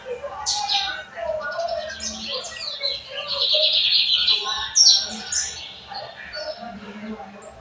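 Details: Lined seedeater singing in torneiro style at São Luís, 14 May 2025. A fast, scratchy warble of high buzzy notes and sweeping slurs builds into a dense, louder passage midway, with faint background voices.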